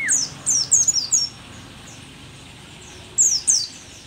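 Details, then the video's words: Mountain white-eye, locally pleci dakun, described as a rare Merapi endemic and an old bird still singing vigorously; very high, thin, downslurred notes in quick bursts of four, then a pause and a second short burst. "pleci merapi tak kan pernah ingkar janji, tua tua gacor"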